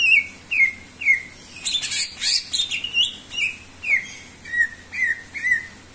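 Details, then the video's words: Greater green leafbird in lively full song, used as a lure to set other birds singing: clear whistled notes that slide downward, about two per second, broken by a burst of harsh, sharp chattering in the middle. "sura burung cucak ijo gacor cocok untuk pancingan"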